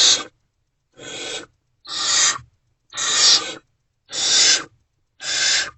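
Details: Well-fed barn owls at Owl Box C, 28 February 2024, 2:15–2:33 am; six clean, rasping hisses separated by clear silent gaps, each burst swelling then cutting off abruptly.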